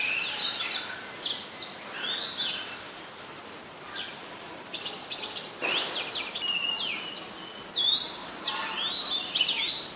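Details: Oriental magpie-robin singing in Ubon Ratchathani, Thailand, 17 July 2021; varied rapid whistles, chips and upslurred notes in a busy, rambling sequence, louder towards the end, with a soft background hiss.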